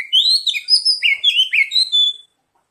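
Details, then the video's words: Oriental magpie-robin, played as a lure to prompt singing, gives a fast, varied string of sweet, high whistled phrases, some sliding upward, over about two seconds before stopping. "Pancingan kacer bahan dan terapi bunyi | cepat bunyi respon"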